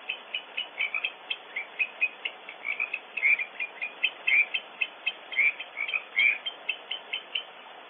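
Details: Barn owls at a nest on Audubon Starr Ranch, California, reacting to an intruder, heard on a nest camera: fairly soft, rapid trains of squeaky notes from more than one bird, with a few sharper, louder cleaks standing out every second or so.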